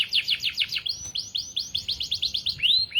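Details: Atlantic canary, AF panda type, singing a fast trill of upward-sweeping chirps repeated about three times a second, then a run of bright looping whistles ending in a rising slur; faint low room noise beneath.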